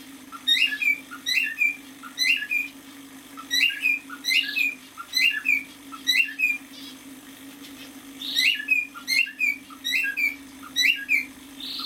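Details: Half-year-old male cockatiel, a pet bird, singing indoors: short bright whistled notes with rising-falling sweeps, repeated about every half second in bursts, with a few harsher squawky notes and a steady low hum underneath.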